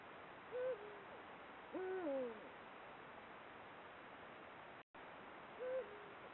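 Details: Eurasian eagle-owl at the start of the breeding season, caught by camera trap, giving deep, mellow hoots as mating calls: a short note, then a longer falling note, and another short hoot five seconds later, quiet background.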